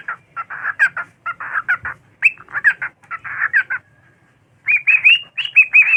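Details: Pet cockatiel singing and dancing on a bed, giving a busy run of chattering, warbled notes that ends in bright rising whistles.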